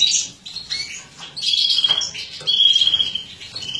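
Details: Mutated female European goldfinch, bred in captivity, while embuchando (feeding). Her song is a bright, high twitter with drawn-out whistled notes near the middle and end.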